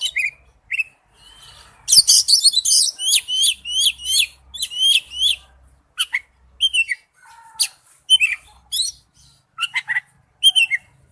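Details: Lure recording of an Oriental magpie-robin singing, with dense phrases of clear rising and falling whistles and sharp chirps, then sparser, spaced notes; a faint low hum sits underneath.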